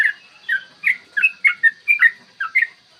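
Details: Yellow-vented bulbul in lively long-run song, used as a lure to make other bulbuls sing and get aggressive; a clear morning recording. Bubbly whistled phrases of about ten quick notes in three seconds, each slurred up or down, over a steady high hum.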